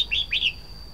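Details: Red-whiskered bulbul singing: two quick slurred whistled notes, each sweeping up and then down, with a faint steady high electronic whine behind them.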